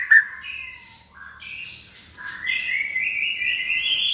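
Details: Hand-reared white-rumped shama in a cage, in its second season and kept for contests. Soft falling whistles are followed by a long rising, buzzy warble.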